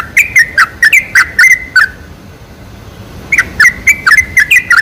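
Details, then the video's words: Lure song of a sooty-headed bulbul meant to prompt bulbuls to sing, two bursts of rapid liquid chirps with rising and falling slurs, split by a quiet two-second gap. "PANCINGAN SUARA TRUCUK TERBAIK"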